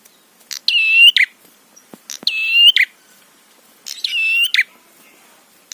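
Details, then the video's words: Prinia song serving as a lure to provoke other prinias: three harsh, metallic, buzzing phrases with click introductions and scratchy endings, repeated about every 1.6 seconds. "Masteran Suara Trapi Prenjak PANCINGAN EMOSI BIKIN BUNYI"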